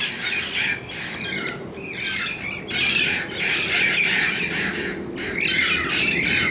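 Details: A flock of protected red-crowned amazons squawking in the morning: loud, harsh, grating calls tumbling over one another almost continuously, rising and falling in intensity, with faint outdoor ambience beneath.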